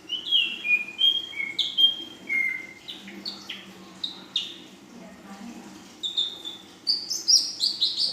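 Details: Young female Ashy drongo singing full-isian style, including 'nembak panjang' and 'belalang emas' phrases: a steady run of clear, level and downslurred whistles stepping between pitches, building to quick, high chattering notes at the end.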